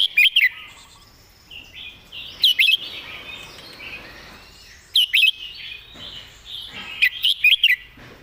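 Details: Song of a caged red-whiskered bulbul serving as a song tutor, clear and well phrased: four lively bursts of bright whistled notes roughly every two and a half seconds, with warbling between.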